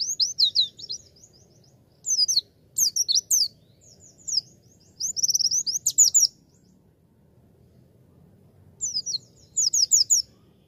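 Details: Javan white-eye beginner's training song: separate bursts of high, thin, fast twittering trills and slurred chirps, each lasting about a second, with gaps of quiet between phrases.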